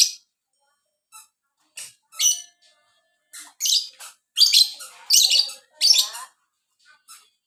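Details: Lovebird of the violin variety in full song: loud, rapid bursts of high, scratchy chirps and squawks, with short pauses between phrases and a few lower warbled notes.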